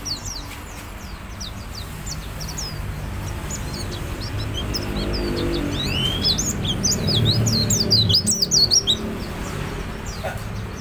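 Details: Mountain white-eye in energetic, continuous song, used as a lure to stimulate other birds to sing: rapid, high, thin chirps and twittering notes in quick bursts over a steady low rumble like traffic.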